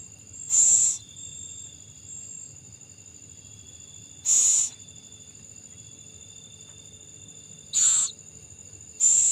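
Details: Owl at night feeding its young: four separate harsh hisses, each under half a second, widely spaced, over a continuous shrill insect tone.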